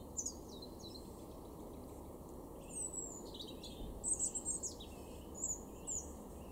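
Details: A European robin in a garden in Weener, East Frisia, northwest Germany, in April 2023, sings thin, very high, varied phrases in short bursts and trills, with pauses, over a steady low rumble.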